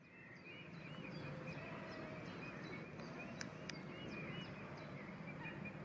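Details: Female Fischer's lovebirds (blue and pastel blue), temporarily separated from their male partners for mornings, chatter in short, high, arched chirps, several a second, over a steady low rumble with a couple of sharp clicks.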